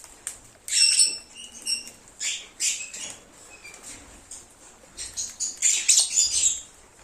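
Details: Several lovebirds singing and cheeping, a lure to draw an escaped pet back: bursts of shrill, high chirps and squeaky notes in uneven clusters, with short gaps between flurries and a denser run of calls near the end.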